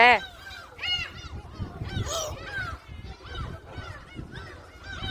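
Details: Gulls being fed at Jebudo island, South Korea, give short arched squealing cries every second or so, some overlapping, over a murmur of people talking and outdoor rumble.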